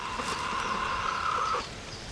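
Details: Bantam rooster, a cross of a Japanese bantam hen and a Cuban father, crowing: one sustained, level, slightly hoarse note lasting about a second and a half, somewhat distant over a steady noisy background.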